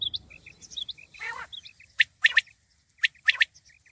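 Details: Common quail (batair) calling: short, sharp clipped notes in quick pairs and triplets, repeated about once a second, with faint tonal chirps from other small birds between phrases.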